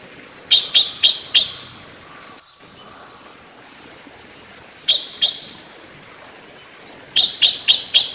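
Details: Taiwan blue magpie (Urocissa caerulea), an endemic of Taiwan's mid- to low-elevation forests, gives sharp, harsh, high notes in quick bursts while bathing: four, then two, then four more, over a quiet background.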